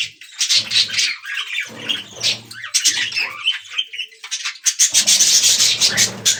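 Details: Budgerigars at feeding time, snacking, chatter in harsh, scratchy squawks and quick warbling bursts, overlapping irregularly.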